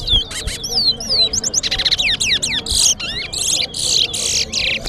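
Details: Caged twa-twa seed finch singing in a bird race at Sheriff Street bird ground: a fast, varied string of clear whistled slurs, sweeping rising and falling notes and buzzy trills, continuous and loud, with faint background voices.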